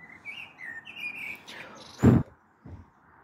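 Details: Common blackbird singing on the evening of 21 April 2022, recorded from a balcony as a storm may be approaching: two fluted, warbling phrases, then a loud dull knock and a softer thud.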